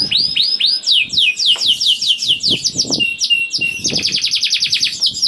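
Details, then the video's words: Canary song meant to trigger other canaries to sing, with slow arched whistles giving way to fast downward sweeps, a steady flat whistled note, then a quick dense trill. "PANCINGAN KENARI GACOR DOR NGEREK PANJANG INI AMPUH BIKIN KENARI LAIN BUNYI"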